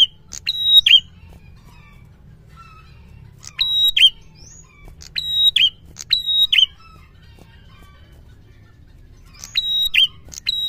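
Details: Prinia song for stimulating a silent prinia: clusters of high steady whistled notes each closed by a buzzy falling flourish, repeated in two- and three-phrase bursts separated by quiet gaps; faint low hum underneath.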